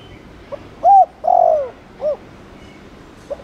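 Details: Spotted dove cooing, Thổ Đồng type, played to stimulate newly caught doves to coo, with Chiêu and Gù coo styles: a brief soft note, a clear hooting note, a long falling coo, then a short upturned note, over quiet background hiss.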